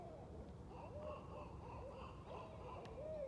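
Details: Barred Owls calling together at night, several birds in a noisy group: soft, overlapping arched hoots rise and fall in quick succession, with faint higher tones above.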